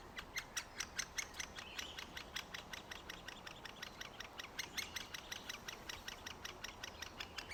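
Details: Great spotted woodpecker young in their final days of being fed before fledging: soft, quick, evenly pulsed calls forming a continuous rhythmic chatter, with faint background hiss.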